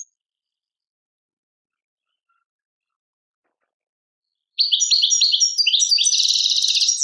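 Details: European goldfinch from Tadmait, Algeria, singing after a long silence. A burst of bright twittered notes builds into a rapid, jangling, buzzy warble that is still going when the recording ends.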